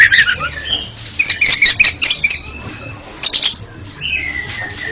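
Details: Oriental magpie-robin song for a bird with stammering song: a fast chatter of harsh, clipped notes in two bursts, followed by a long, softer descending whistle.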